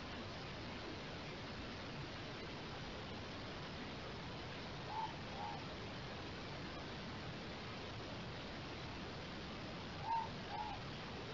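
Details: A morepork, recorded by an automated bird monitor, gives its two-note 'more-pork' call twice, about five seconds apart. The second note is slightly lower, and both are faint over a steady hiss.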